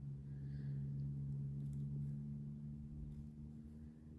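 A steady low engine hum with droning tones is heard, and no animal voice stands out.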